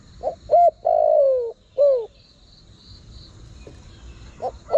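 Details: Spotted dove calling, used to lure wild birds: a few low coos, one long drawn-out note sliding downward between shorter clipped coos, then a pause and two brief soft notes, with a faint steady high hum behind.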